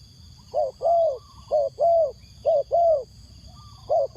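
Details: Spotted dove used as a decoy to lure wild doves, cooing in paired hollow notes, a short coo followed by a longer one, repeated in rhythmic phrases, with a steady high electronic whine behind.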